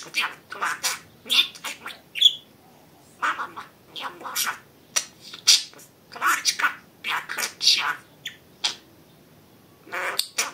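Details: Pet budgerigar talking at length: a continuous run of scratchy, high imitated speech syllables with occasional bright chirps and squawks, barely pausing.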